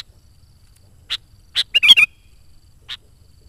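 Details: Sooty-headed bulbul in active song, meant to attract wild bulbuls and spur home birds to sing: two sharp chips, then a fast, gurgling warbled phrase, then a lone final chip.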